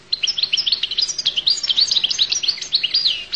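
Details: Goldfinch song: a continuous stream of quick, liquid, high chirps and slurred twitters, unbroken for about three seconds.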